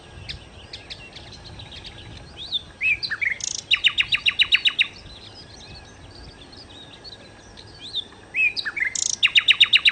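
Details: Nightingale (sikatan londo) song with soft chattering and whistled slurs, broken by two loud bursts of fast, rhythmic, repeated clicking notes, one in the middle and one near the end.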